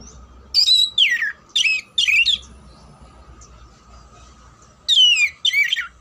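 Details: Oriental magpie-robin, kept to sing in contests, delivering several vigorous phrases of falling whistled slurs and rasping notes in quick pairs, a pause of two seconds, then two more phrases, over a steady faint hum.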